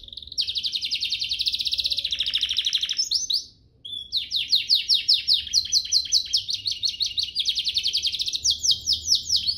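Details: Domestic canary delivering a richly ornamented song used to train young birds and prompt singing: a long dense trill dropping in pitch, a brief silence near four seconds, then quick repeated downslurred chirps and rolling trills.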